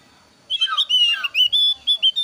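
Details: A thin-eyebrow Javan grey-throated white-eye sings a varied lure song used for trapping and tutoring: a jumbled opening of overlapping whistles and lower slurred notes, then several clear, sustained high whistles.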